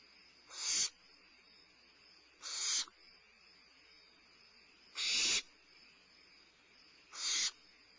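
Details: Limping barn owl owlet at Starr Ranch at midnight, 2011-05-22, while eating a meal, repeats short harsh hissing screeches four times in eight seconds at uneven intervals, with a steady thin high whine underneath.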